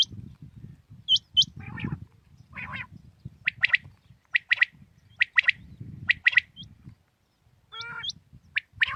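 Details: Common quail calling in the morning: sharp, clipped notes in quick twos and threes, repeated every second or so, mixed with high hooked whistles from another bird and a low background rumble.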